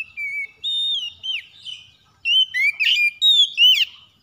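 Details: Oriental magpie-robin, or kacer, in the morning: clean whistled phrases, first slow and drawn out with gentle slides, then a quicker group of five or six louder, upswept notes.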